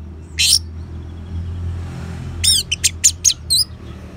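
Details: Orange-headed thrush, ngeban song used as a lure to make caged birds sing: one harsh high note, a quiet gap with low background hum, then a quick sequence of sharp chirps and a closing whistled twist.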